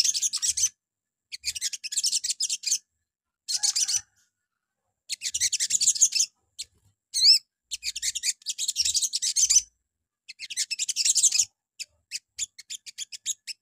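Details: Little spiderhunter (sogon) morning lure song, used to make other sogon answer: bursts of rapid, high, dry chipping notes lasting one to two seconds, separated by short pauses, with a few sharp upslurred notes near the middle.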